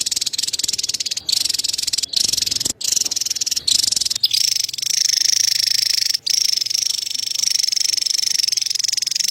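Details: Javan tesia giving its cerecetan chatter, a fast buzzy pulsed rattle that runs with few breaks and then settles into a steadier, sustained high trill.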